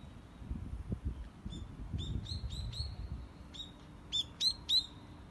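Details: Birds singing among sakura: short, sharp, high chirps in loose bursts, several given in quick succession, with the loudest trio near the end, over a low rumbling background.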